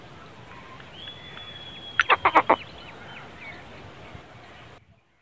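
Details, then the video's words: Black francolin: a quick burst of five harsh, rasping notes in the middle, with faint thin whistles from other birds before and after, over a steady hiss. "kale teetarr ki Awaz|black francolin"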